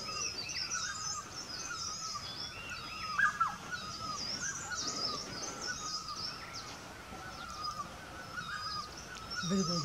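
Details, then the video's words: A great barbet at Chopta, Uttarakhand, in the Indian Himalayas gives loud, mournful, repeated mid-pitched notes in a steady run, while other small birds chirp and twitter higher above. "Beautiful Great Barbet"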